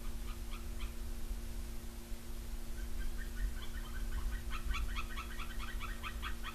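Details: A pair of white-tailed eagles, male and female, calling together near their nest tree on Smola, Norway, on a morning in late August 2020. Short yelping notes come in faint series that grow quicker and denser toward the end, over a steady low hum.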